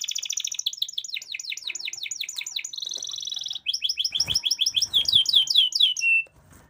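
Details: Canary song, used as a prompting song to get young or silent canaries singing: rapid repeated high chirping phrases, a steady buzzy trill, then fast varied notes ending in a short whistle.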